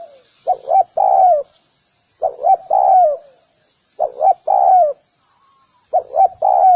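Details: Low, soft coos from a spotted dove: four phrases, each a pair of brief notes then a long, full coo ending in a falling slur, spaced about every one and a half to two seconds.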